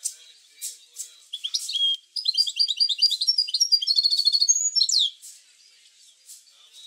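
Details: European goldfinch song for stimulating goldfinches to sing: after a few sharp clicks, a fast, rolling stream of bright twittered notes lasts about three seconds, ending in buzzy descending trills, then quiet clicks.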